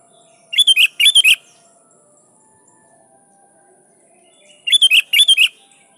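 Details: Sooty-headed bulbul singing loudly to call rivals and get wild bulbuls answering; two paired phrases of rapid bubbly, warbled notes, each pair lasting under a second, separated by a quiet stretch of about three seconds.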